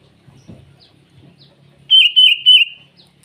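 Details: Sooty-headed bulbul in the morning, singing to summon rivals: faint low rustles, then three loud, clear, bouncy whistled notes in quick succession, each slightly falling.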